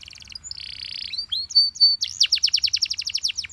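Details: A yellow Belgian canary sings loud, high notes: a buzzy trill and pure whistles, then a fast run of sharp descending chips, about seven per second.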